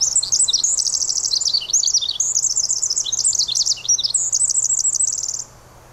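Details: A Pacific Wren singing in the rain in the Squamish River Estuary pours out a long, rapid, high-pitched cascade of tinkling trills and buzzy notes, running on without pause for over five seconds.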